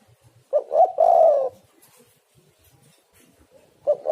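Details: Spotted dove (tekukur) cooing as a lure to get other doves calling: a short stuttered note and a strong, hoarse coo, then a pause before another phrase begins.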